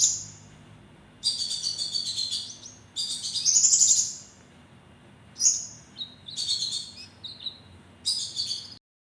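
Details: Javan kingfisher giving sharp calls: high, buzzy bursts with a strong trilled section, then shorter clipped notes and thin whistles, over a faint low background hum.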